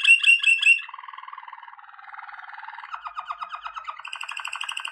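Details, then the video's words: Waterslager canary training song: three bright opening notes, then a low, bubbling, watery roll that rises and speeds up, ending in higher rapid notes. "Legendary Waterslager Canary Singing For Training - وتر سلاجر"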